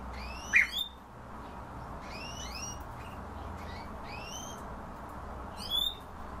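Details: Himalayan bulbul calls: clear bursts of stacked, rising whistled notes in short phrases a few seconds apart, over a soft constant background hiss.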